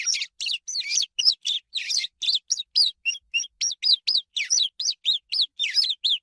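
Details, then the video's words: A swallow delivers a continuous stream of high chirps and twitters at almost four notes per second. Scratchy clustered notes mix with clean downward-slurred ones. The recording is quiet and free of other noise. "SOM DE ANDORINHA"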